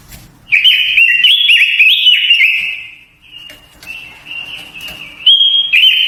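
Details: Japanese white-eye singing a luring, voice-training song: bright, high, fast warbling with jumping trills, a brief dip in loudness midway, then renewed sustained twittering phrases.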